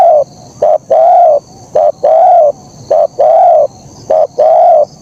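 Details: Terkukur, or spotted dove, in lively kuk 1 song: paired cooing phrases, a brief clipped note followed by a drawn-out mellow coo, repeating steadily about once a second with clear, uncluttered sound.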